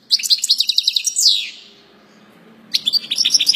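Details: European goldfinch singing a flawless song: rapid, bright twittering of tinkling high notes, a short buzzy downward slur, a pause of over a second, then another quick burst of liquid chirps.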